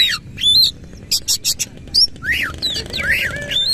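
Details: Oriental magpie-robin (kacer) in vigorous 'nembak ngerol' song, tail fully fanned; loud whistled up-slurs and swoops mixed with short harsh buzzy bursts, ending in tumbling arched whistled phrases.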